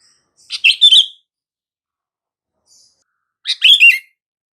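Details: Sooty-headed bulbul calling sound meant to get silent bulbuls responding: two rich, chirpy phrases with slurred whistled endings, roughly three seconds apart, and a faint soft note between.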